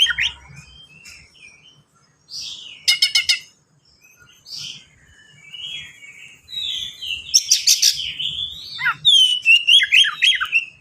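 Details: Oriental magpie-robin kept as a singing bird, fast dense song full of varied phrases: sliding whistles, a loud rattling burst of stacked notes near three seconds, then falling slurs and a quick rapid trill toward the end.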